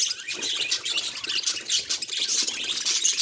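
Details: Pet budgerigar chattering in a continuous stream of high, scratchy warbles and quick chirps, dense and overlapping with no pauses, bright and busy throughout.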